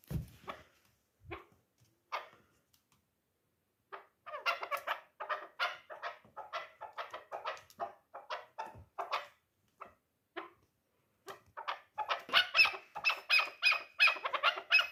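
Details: Chukar partridge of the dulan kind, kept for hunting and three years old, starts with scattered single notes, then builds into an accelerating string of dry, throaty chucks that grows louder toward the end.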